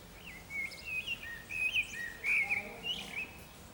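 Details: A common blackbird sings atop a rooftop antenna in San Martín, Zamudio, Bizkaia, on 18 April 2019: a continuous run of rich whistled notes, rising and falling in short loops about twice per second, with light twittery endings.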